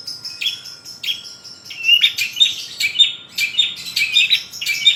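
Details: Long-tailed shrike singing energetically, its song described as rich with fill-in notes: dense high chirps and short whistled phrases in rapid bursts, some sharp rising notes, with brief pauses between loud clusters.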